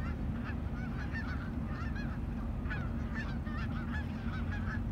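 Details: Landing Canada geese call in quick succession, each honk a short bent nasal note, with many birds overlapping and a continuous low background drone.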